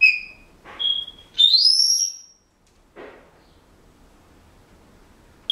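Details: Pet Senegal parrot whistling a few bars of a song it is learning: clear high whistled notes, a long smoothly rising whistle slurred upward, then a pause, a soft breathy sound and a last sharp whistle at the end.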